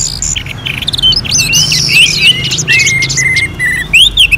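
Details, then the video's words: Caged orange-headed thrush from North Bali delivering quick, varied whistles: rising and falling slurs, clipped chips, and a run of level repeated whistles near the end, followed by a bright upswept note. "KICAUAN ANIS MERAH"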